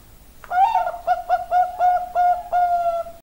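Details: Zebra dove of the Bangkok type giving a soft, gentle call: a mellow rolling coo broken into quick pulsed notes, then a longer drawn-out ending note.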